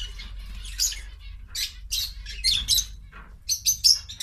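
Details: Several kept quail eating vegetables, giving short bursts of high, scratchy chirps and twittering notes in irregular clusters, with quieter gaps between bursts and a steady low hum underneath.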